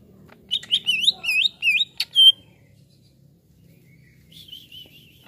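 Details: Greater green leafbird reacting to a played sound, a quick string of about eight looping whistled notes, then silence and a softer wavering whistle near the end.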